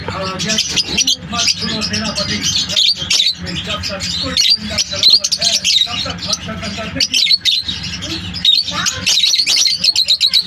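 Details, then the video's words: Many lovebirds chirping together, giving a loud, restless chatter of piercing high tweets and brief harsh squawks in quick irregular bursts, with a faint steady low hum throughout. "Lovebirds chirping sound"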